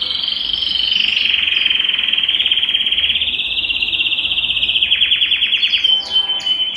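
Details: Belgian canary song meant to warm up a cold canary. A sustained, shrill, buzzy trill holds steady for several seconds, then breaks into faster pulsed rolls and a few sharp high notes at the close.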